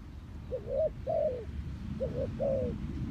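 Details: Spotted dove call, clean and meant for trapping lures: two paired phrases, each a short rising coo then a longer sliding coo, mellow and low, over a muffled background rumble.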